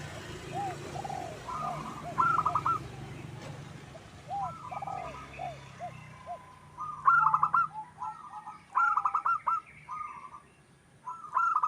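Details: Local wild zebra dove heard as lure song: low arched coos and rolling notes over background hum, then several loud bursts of quick trilled notes spaced a few seconds apart.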